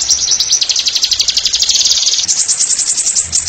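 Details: Continuous high, rapid chattering trill from an oriental white-eye, ngeriwik nyembur style for masteran training, with fast pulsed notes running without a break and a faint hiss behind.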